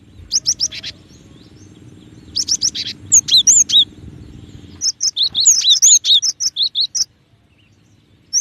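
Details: Cinereous tit singing: harsh buzzy chirp bursts, then a quick run of clear, high whistled two-note phrases, alternating high and lower notes and repeated rapidly, with a steady low hum beneath the first half.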